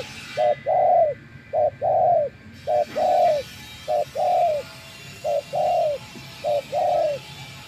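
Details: Spotted dove kept as a trapping decoy and tamed after days in the wild, giving six even couplets of soft hollow coos, each a brief note then a longer falling one, about one pair per second.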